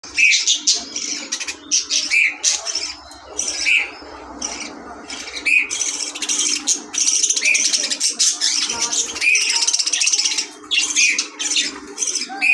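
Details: A pair of pet budgerigars, kept cool in summer with ice-melt water, chatter nonstop with scratchy, buzzy warbles and sharp chirps.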